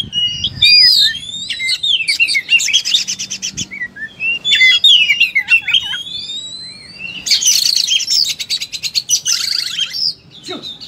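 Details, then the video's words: Oriental magpie-robin in full battle song, repeated descending whistled phrases interleaved with rapid clicking rattles and a dense buzzy burst near the end. "Kacer full tarung muntah materi"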